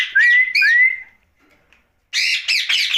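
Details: Pet ringneck parakeet at night, uttering two clear, rising, drawn-out whistled notes, a pause, then several harsh raspy squawks.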